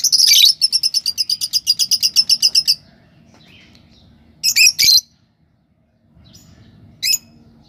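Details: Lovebird giving a fast run of about twenty sharp, high chirps at a steady pace, then a pause and two short harsh squawks in a quiet indoor setting.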